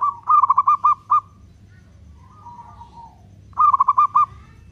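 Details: Local zebra dove, a vocal bird singing long-beat cooing used as a lure to provoke other doves: bursts of five or six rolling, knocking coos, a softer drawn-out coo between them, then another burst.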